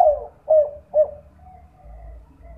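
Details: Lure call of a spotted dove at night, meant to make other doves call. Three mellow coo notes come at half-second intervals, then a faint fading trail. A low hum runs beneath.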